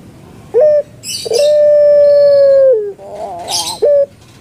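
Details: Kept Barbary dove called puter pelung in Indonesia: a short clipped note, then a long level hoot lasting about one and a half seconds that falls at the end, followed by a wavering gurgle and a final short note. Bursts of noise sound in between.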